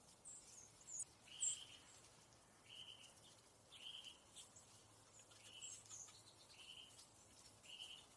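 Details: Fox sparrow scratching the ground for food and eating seeds, giving short, sharp chip notes about once a second, with fainter high twittering and a low background hum.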